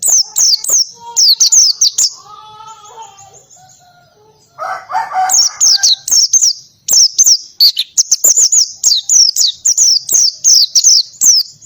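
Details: Oriental white-eye giving ngalas-style song with canary-like bursts, rapid high falling whistles, interrupted midway by lower warbled and harsher notes from another source before the whistled volleys resume.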